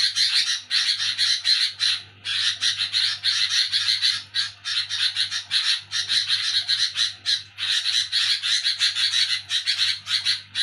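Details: At night, a sooty-headed bulbul chatters noisily: long runs of rapid, scratchy, buzzing notes with brief pauses near two and seven seconds, over a constant low hum.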